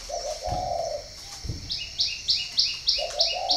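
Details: Spotted dove from a breeding farm in Ba Vì, northern Vietnam, gives two low, smooth coos. Another bird adds a rapid series of high, bright chirps that repeats about every third of a second.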